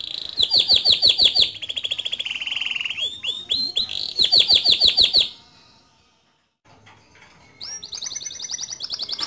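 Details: Male canary singing in a lively rolling style for young birds to learn from: bursts of fast sharp repeated notes and buzzy rolls, a pause of silence, then a high rapid trill.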